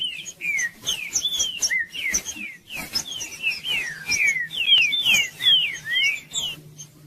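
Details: Judas-style green-winged saltator song used to get silent birds singing: loud, fast strings of sliding whistled notes, many dropping in pitch, packed closely with brief gaps, over a steady low hum.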